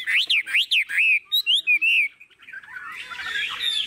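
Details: Tame caged Chinese hwamei, cage held by hand and shaken, gives loud rising-and-falling whistled notes in quick succession, then a pause and softer rustling noise.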